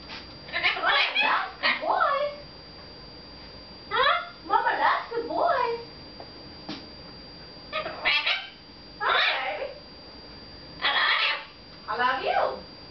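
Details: Pet red-fronted macaw indoors, talking to its owner while she does her hair in the bathroom; harsh, buzzy speech-like phrases in bursts of one to two seconds with short pauses, a small room around it.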